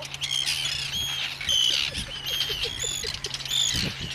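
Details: At an Arctic Tern colony on Inner Farne, Farne Islands, Northumberland, UK, on 6 June 2013, terns dive-bombing visitors give harsh, high, grating calls overlapping without pause, with fainter colony chatter, a low steady hum and handling noise.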